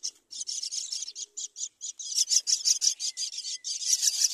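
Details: Myna, a mother bringing her chick to the side of the nest: loud, continuous raspy chattering, rapid harsh high notes run almost without break, about three per second, with no other sounds heard.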